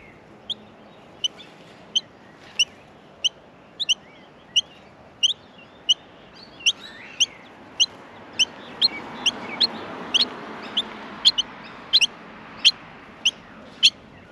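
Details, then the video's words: Australian miner nestlings in the nest calling for food while being fed: short, sharp, high chirps repeated steadily about every two-thirds of a second, with a soft background hiss. "Australian Minor baby birds in the nest feeding"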